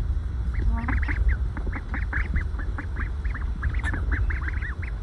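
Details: Ducklings resting in a pile in the sun, calm and happy, humming softly: dense stream of short high peeping notes overlapping from several birds, over a steady low rumble of background noise.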